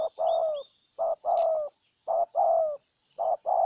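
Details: Cooing spotted dove used as a decoy to win over a wild bird in Ninh Thuận, Vietnam: repeated couplets of deep coos, short then long and gently falling, about one pair per second, with faint high bird chirps behind.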